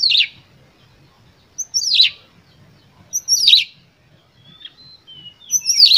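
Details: Lure song of an Oriental magpie-robin singing with full emotion to provoke other birds: repeated loud, harsh descending bursts roughly every one and a half seconds, separated by brief thin whistled notes, with a low background murmur.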